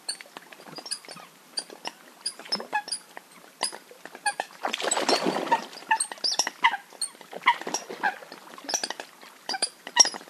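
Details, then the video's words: Coots give short, sharp, clicking pik notes in an irregular scatter, with a brief burst of splashing or rustling noise midway. "Coots sound best"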